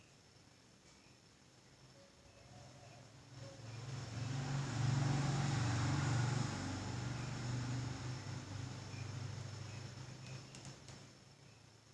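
A passing vehicle's low engine rumble swells and fades over quiet outdoor background, with no clear animal call.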